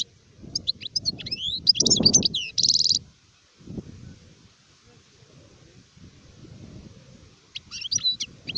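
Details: Adult European goldfinch, called sharif, in 2019, giving high tinkling twitters and a short buzzy rattle around the third second, then a pause with low background rumble and a brief return of twittering notes near the end.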